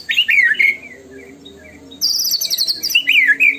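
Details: Murai batu, the white-rumped shama, in tembakan-style lure song: loud slurred whistles dipping and rising, a rapid buzzy high trill, then more swooping whistled notes.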